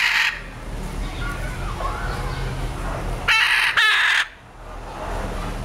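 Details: A hyacinth macaw at San Diego Zoo gives a brief raucous squawk, then a longer harsh double screech about three seconds later, over a low background rumble and faint murmur.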